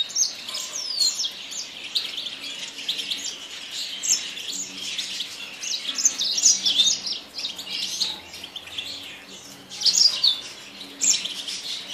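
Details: Yasmin bird delivering a long, varied song of high whistled slurs, sharp chirps and squeaky trills in bursts, with quieter stretches between.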